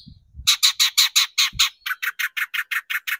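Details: Long-tailed shrike (cendet) lure recording to excite shrikes: a fast rattling series of about fifteen harsh chattering notes, roughly five per second, slightly quickening, after a brief thin whistle and low knocks.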